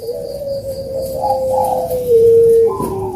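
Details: Spotted dove coo played as a lure for birds that are slow to sing: a long, smooth, level hooting tone held for over two seconds, then a brief higher note at the end.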